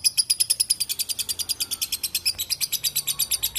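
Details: Lovebird giving a long, clear chattering ngekek: rapid, harsh, high-pitched notes repeated steadily about six per second across the whole stretch, used as master song for training contest birds.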